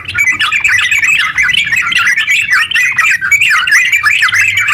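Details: Continuous 'gacor ropel' song of a sooty-headed bulbul, meant to stir other bulbuls into singing: quick rising and falling bubbly whistles tumbling together without a break, with faint low hum underneath.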